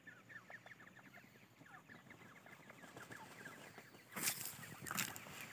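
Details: Several grey francolin (Irani dakhni teetar) chicks cheep continuously with short, thin, high peeps at an irregular pace, about eighty a minute. Two loud broadband bursts of handling noise break in near the end.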